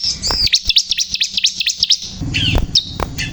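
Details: Vigorously singing bar-winged prinia, known locally as ciblek kristal: a drawn whistle, then a fast string of high V-shaped chirps, a short gap and a few sliding whistled notes, over a low background hum.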